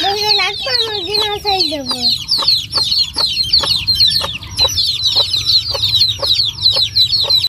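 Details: Chickens at Noldang village: a bird opens with several lower, harmonic, wavering calls that slide downward over two seconds, then masses of high chick peeps take over, mixed with regular sharp clicking taps.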